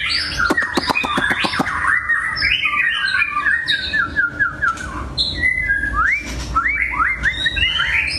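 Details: Caged long-tailed white-rumped shama singing indoors; a loud, fast flow of varied whistles, rising and falling slurs and rapid clicking notes, with sharp repeated ticks near the start and a faint low hum.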